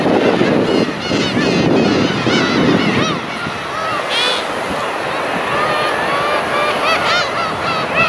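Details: Dense chorus of mewing black-tailed gulls from a huge flock. Cat-like 'nya nya' cries stack up and overlap, with one louder rising call near the middle. Rumbling background noise, stronger at the start.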